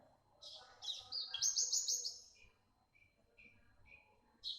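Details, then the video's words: Young bush lark of the parva type singing busily with a sharp voice: a buzzy, rattling high trill rises into a bright stuttered phrase, followed by short thin notes and a final burst. "BURUNG BRANJANGAN PARVA MUDA GACOR SUARA TAJAM"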